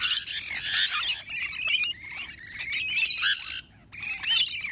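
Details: A group of rainbow lorikeets keeps up a dense, continuous screeching chatter of shrill, grating notes, easing briefly then resuming, with a near-silent pause toward the end before a final burst.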